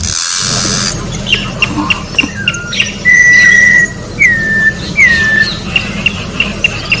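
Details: Orange-backed troupial singing in nature: scattered short ticks, then three clear whistles, the first long and level and the next two dropping, followed by more spaced clicks.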